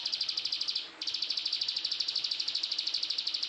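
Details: Bar-winged prinia (described as ciblek sawah, plain prinia) in a fast, high, dry trill of tightly packed sharp notes at about ten per second, breaking off briefly, then resuming, over faint background hiss.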